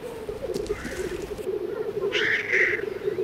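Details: Black grouse males displaying at a lek on open ground, Baikal region, Russia, where every male fights every other: steady low bubbling rolling song from several birds, overlaid by a loud harsh hissing sneeze midway.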